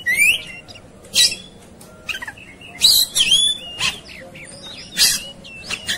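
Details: Agitated, fighting Oriental magpie-robins singing on a tutor recording: bright whistled slurs and harsh chattering bursts come in quick spurts about every second, over a low murmur of background noise.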